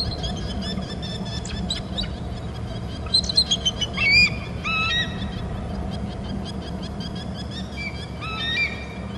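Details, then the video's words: Bald eagles at a Hornby Island nest and territory call as one floats to the back rim: high, thin chittering whistles in short bursts, over steady low rumbling background noise. "eagle floats to the back rim, hear em and mr calling"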